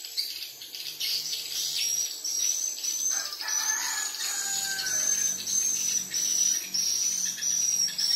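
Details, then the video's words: Swiftlets, with calls used to attract swiftlets: a dense, unbroken high twittering chatter that continues throughout, with a few lower, drawn-out whistles partway through. "Suara panggil walet brutal"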